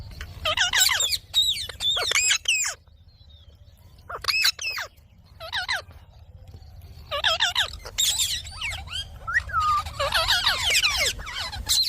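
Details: Indian ringneck parakeet kept as a pet talking bird, delivering dense bursts of high shrill squawks separated by quiet gaps, one short whistle slide near the end.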